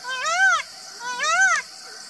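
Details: An Indian peafowl gives two loud, ringing, arched calls about a second apart, each climbing then sliding down in pitch.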